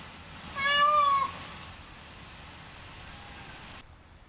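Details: Peafowl from a muster give one loud, drawn-out nasal wail lasting about half a second over steady background hiss. Faint high thin whistles come afterward.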